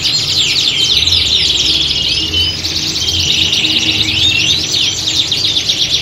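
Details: Canaries trained for singing competitions, heard in a contest-like chorus. Fast chattering trills and quick rising and falling whistles pour out continuously, with a soft low hum beneath.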